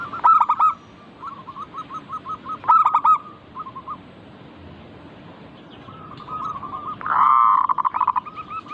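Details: Local zebra dove (perkutut) song: loud harsh-edged bursts stand out against soft quick-rolling coo trills on a level mid pitch. A strong, blaring rolling phrase closes the stretch, and other doves trill faintly behind.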